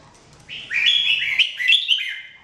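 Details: Jambul, or red-whiskered bulbul, recorded in 2017 for song training, gives one continuous warbling phrase of rolling, clear whistled notes lasting about one and a half seconds, rising and dipping in pitch.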